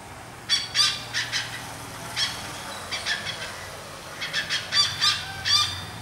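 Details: Wild Great Hornbill in the Goa jungle, India, giving harsh, raspy barking notes in short clusters of two or three, repeated over several seconds. Steady hiss and low hum run beneath.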